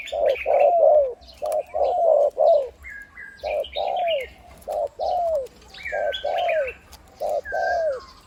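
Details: Spotted dove (Spilopelia chinensis), a big-voiced decoy bird over 8 years old, formerly wild, gives deep, mellow coos, a run of four or five, then two-note phrases every second or so, small birds chirping behind.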